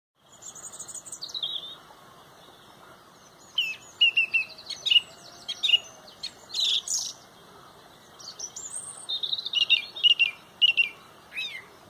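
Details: Song thrush leading a loud dawn chorus at sunrise in Pontrobert: bright whistled notes repeated in short runs of three or four, with sharp chirps and other birds singing behind.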